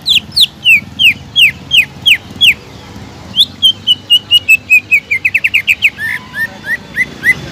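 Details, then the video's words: Greater green leafbird song intended to rouse leafbirds that have gone quiet: repeated sharp falling whistles, then an accelerating, tightly packed series of short whistled notes, finishing with lower slurred whistles. "PANCINGAN CUCAK IJO GACOR EFEKTIF MENAIKAN EMOSI CUCAK IJO MACET BUNYI"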